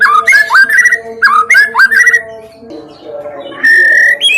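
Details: White-rumped shama song played as a lure to get other birds singing: looping whistled phrases that rise and fall, a pause with soft chatter, then a long level whistle ending in a higher note.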